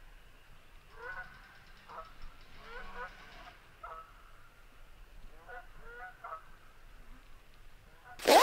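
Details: At dusk at a wildlife management area campsite near woods, amid many bugs, geese honk in short nasal bursts, several calls overlapping in loose clusters, ending in a loud close rustle.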